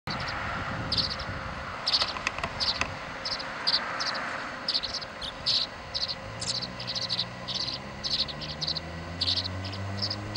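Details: Tree swallow chicks fighting for the feeding spot, recorded 26 July 2011: many short, high chirping bursts repeated in quick, uneven succession, with a soft steady hum and low rumble underneath.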